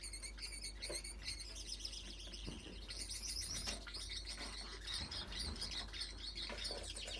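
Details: Single factor yellow male Gouldian finch, split blue, now grown up, singing to attract females: dense high, thin chirps and buzzy twittering run continuously, with a soft low hum and faint rustling beneath.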